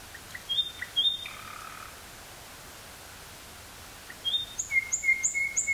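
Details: Nightingale recorded in the woods near Burgh-Haamstede, Netherlands, 18 May 1983, on cassette: a few thin, pure whistled notes, a long quiet gap, then a soft series of short high whistles repeated at a steady pace.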